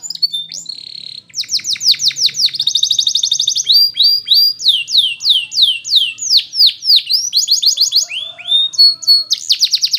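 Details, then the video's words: A Belgian canary sings a song for training canaries: a short whistle, then shifting tours of rapid rolling trills and bright down-slurred notes repeated several times a second, with a long high sweep near the close. "The Belgie Canary's Seduction for the Canaries to Stop Sounding"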